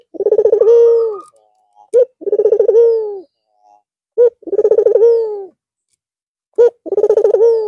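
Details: After a long holiday rest, a white red-eyed Barbary dove coos repeatedly, each phrase a fast stuttering roll ending in a steady low hum, separated by brief sharp single notes, about every two and a half seconds.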